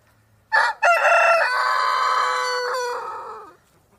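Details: A single rooster gives one loud crow, about three seconds long. It opens with a sharp break, then holds a strong, level note before trailing off at the end.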